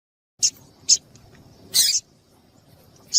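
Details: Female double-collared seedeater call used to stir up males for contests: quick series of short scratchy chips, two close together, then a longer rasping burst and another chip, over a faint constant high tone.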